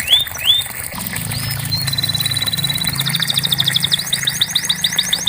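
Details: Canary song meant as therapy for a bird that has gone quiet: rising whistled slurs, a thin steady note, then an accelerating run of chopped notes and repeated sweeps; low rumble in the background.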